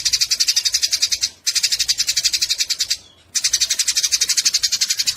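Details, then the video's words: Fighting Eurasian tree sparrows give a harsh, scratchy chatter of fast repeated chirps about four per second, with two brief gaps between bursts. The chatter serves as tutor audio for songbirds. "Masteran burung gereja tarung"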